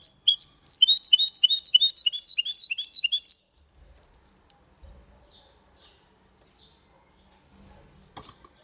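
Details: A goldfinch × canary hybrid sings an elegant Malaga-style phrase, recorded in 2022: a rapid, regular series of high slurred chirps lasting about three seconds, followed by near silence with faint knocks.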